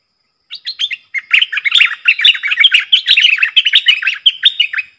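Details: Wild streaked bulbuls gathering as a flock, recorded as a lure sound: a loud, continuous babble of overlapping chirps and slurred warbles, about two notes per second, busy and uneven throughout.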